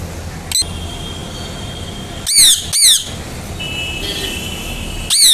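A rose-ringed parakeet gives a few loud, harsh, rasping chirps, mostly in a pair around the middle, over a steady high whine and faint background noise.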